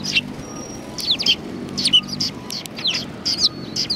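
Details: Sparrows at a Tenmangu shrine, recorded 1 March 2020: sharp chirps and short downward-sliding notes come in clusters about every second, with a faint steady low hum underneath.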